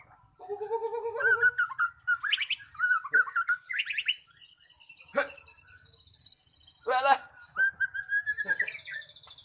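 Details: Magpie-robin singing as a lure for silent birds: low whistles, rich warbled phrases climbing high, sharp clicks and a buzzy trill, then a long rising whistled run.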